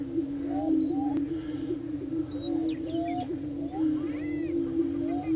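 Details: Several prairie chickens on a lek at Bluestem Prairie Preserve near Glyndon, Minnesota, keep up a continuous low moaning drone, broken by scattered upslurred whoops and short cackles throughout.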